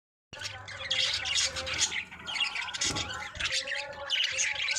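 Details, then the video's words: Budgerigars chirping, with pairing and breeding behaviour; dense, fast chatter of squawky, scratchy chirps and warbles, overlapping almost without pause. "Budgies Chirping | Budgies sounds | Budgies Breeding Symptoms"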